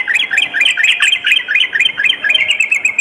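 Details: Sooty-headed bulbul singing at night: a continuous, lively chatter of short upslurred and downslurred notes, bunched into quick bursts about twice a second, with no other sounds.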